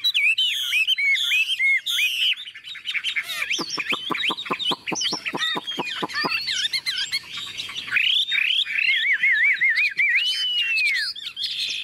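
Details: A newly arrived, hand-tame Chinese hwamei with yellow legs and bill sings loudly while hung outdoors: rich fluty slurred whistles, a quick burst of sharp repeated notes, then rising and falling whistled phrases over the hiss of heavy rain.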